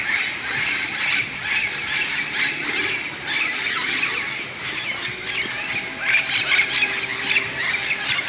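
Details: A large flock of parrots gathering in tall bamboo beside a golf course in Moka, Trinidad and Tobago, squawking as they settle for the night; dense overlapping harsh calls fill the whole stretch without pause.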